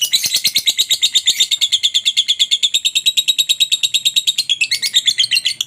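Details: Lovebird lure sound intended to make other lovebirds sing: continuous shrill, grating chatter pulsing roughly three times a second, loud and even throughout with slight pitch wavering near the end.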